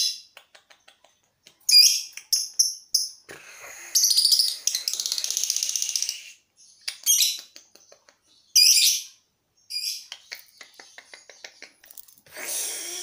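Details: A lovebird practises its long ngekek trill before a contest, to train its breathing. Sharp clicks lead into bursts of harsh, high chatter, with one sustained rattling trill of about two seconds.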